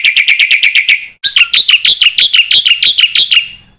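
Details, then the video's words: Black-winged myna master song for teaching young mynas its phrases: fast repeated metallic chips, a short pause, then a run of longer, more ringing notes that shift slightly in pitch. "suara pancingan burung jalak putih gacor full isian"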